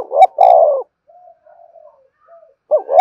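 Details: Spotted dove lure call: a low, mellow coo phrase cut off at the start, then near-silence with faint soft sounds, and a new husky coo phrase beginning at the end.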